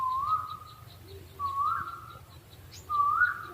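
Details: Owl calling with three drawn-out, slightly rising whistled notes spaced about 1.5 seconds apart over a low background hum.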